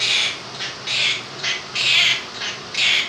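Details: A 2-year-old male Quaker parrot indoors, with a fan running in the background, gives harsh, raspy, high-pitched phrases roughly once a second, mimicking 'If You're Happy and You Know It'.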